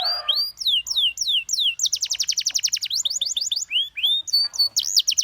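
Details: Canary song opening with a series of sliding whistled notes, followed by rapid rattling trills and further swooping whistles.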